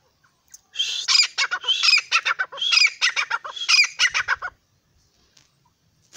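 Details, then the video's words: A francolin (teetar) gives a loud, harsh, rhythmic run of grating notes: about four seconds of rapid, strident phrases, then quiet. "teetar ki awaz. francolin voice. partridge voice"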